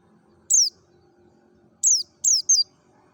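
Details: Merapi mountain white-eye in 'ngalas' wild style, a lure for other white-eyes. One bright downslurred note is followed after a pause by a quick pair and a short trailing chip, all high and thin. Quiet hum lies below.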